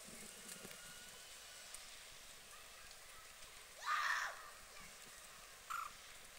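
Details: A common moorhen in the UK gives one loud, harsh, gurgling call, followed about two seconds later by a short, sharp note, over quiet outdoor hiss.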